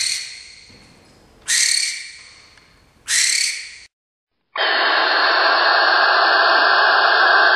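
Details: Barn owl giving three harsh, hissing screeches about a second and a half apart, then a brief silence and a long, steady, broadband hissing screech lasting over three seconds.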